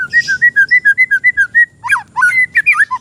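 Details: Oriental magpie-robin, an untrained bird, sings lure song for tutoring. A rapid, even string of clear alternating whistles, roughly three and a half per second, breaks into louder, twisting slurred phrases and low notes.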